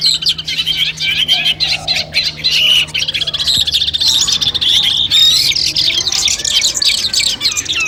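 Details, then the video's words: Long-tailed shrike song compiled to test birds' nerve before a competition: bursts of high, fast chatter broken by brief pauses, a few clear whistled notes, and a low hum in the first half. "masteran kumpulan suara cendet tes mental sebelum lomba"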